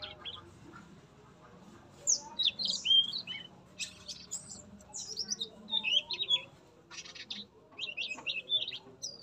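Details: Male yellow-rumped flycatcher singing in a breeding cage, opening its beak and flicking its tail: a quiet start, then sharp high chirps and warbled phrases in repeated bursts.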